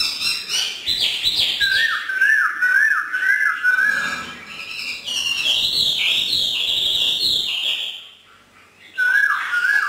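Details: A hwamei let sing freely in the evening by a northern Vietnamese keeper gives long rolling whistled phrases, smoothly rising and falling, with a short pause before the phrase resumes.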